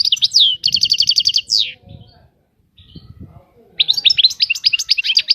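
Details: European goldfinch song opening with a fast bright trill and a falling slur, a lull with low background murmur, then a fresh burst of lively high twittering notes.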